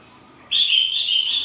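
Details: Greater green leafbird: a sudden loud whistled phrase starting after half a second, a sustained high note with slight wavering, continuing steadily to the end.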